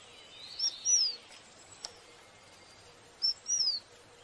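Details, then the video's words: A sparrow described as blue-headed and orange gives two high, thin phrases about two and a half seconds apart, each a short note followed by a falling, slurred whistle, over a faint outdoor hiss. "Blue Head Orange Sparrow Chirping"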